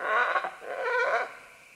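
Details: Green-winged macaws, several descending along vines: a loud, continuous, raucous screeching call with a wavering, rising-and-falling tone, lasting over a second before fading.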